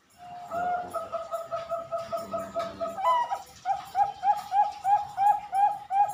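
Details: Farm-bred Bangkok-line zebra doves in Pasuruan, East Java, Indonesia: one rapid series of even coos at a lower pitch, then a rising note and a second run of louder, slightly curved cooing notes.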